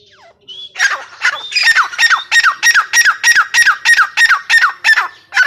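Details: Female grey francolin (teetar) calling: after a brief thin whistle, a loud run of harsh, squawking notes repeated steadily about three times a second, each note sliding downward, continuing to the end with little background.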